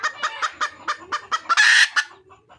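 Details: Wild red junglefowl hen calling for a mate, with a regular string of about eight short clucks, each roughly a quarter-second apart, capped by one long grating squawk.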